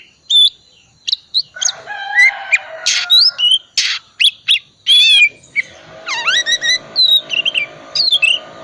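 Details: Oriental magpie-robin, calm type, in lively 'isian' lure song: varied sharp whistles, upward sweeping notes and harsh buzzy bursts in irregular sequence, with a faint hum in parts.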